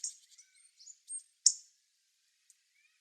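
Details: Wild Hawfinch, filmed from far off, giving a burst of short high ticks, then a sharp explosive click, followed by a couple of faint thin notes and silence.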